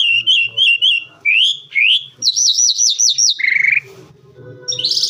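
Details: Calandra lark song: a quick run of repeated chirped notes near the middle of its range, then rising slurred whistles, a fast rolling trill of looping notes, a lower buzzy burst, and a high scratchy phrase at the end.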